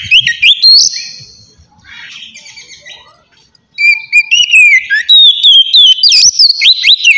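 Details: White-rumped shama singing a calm, open song meant to draw in wild birds; a whistled slur opens, a soft pause follows, then loud clear whistles trill and slide with bright chips overhead.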